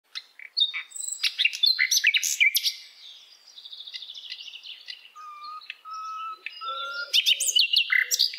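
A nightingale sings a rich, varied phrase: sharp high chirps, a fast dry rattle, then a string of pure, low, drawn-out whistles before bursting into rapid chirping again.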